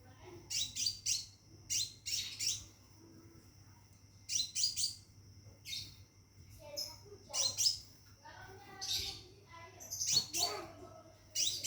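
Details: A Scarlet minivet kept in a cage calls for a mate in short bursts of rapid, piercing high notes, roughly four per second in spells, separated by brief pauses, with a faint steady high tone.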